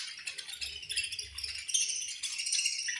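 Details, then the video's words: Crowded budgie colony at feeding time, its birds producing an unbroken, rattling chorus of high, thin chirps and warbled chatter, steady throughout with small swells. "Chirping Sounds In Budgies Colony"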